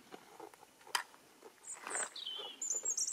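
A European robin gives a few thin, high, sliding notes, one dropping in pitch, with soft clicks and rustling behind.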